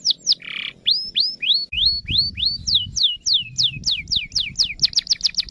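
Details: Canary song played to get other canaries singing: sweeping downslurred whistles repeated about three to four per second, a brief buzzy rasp early on, then a fast, even trill of high notes at the end, with faint low rumble beneath.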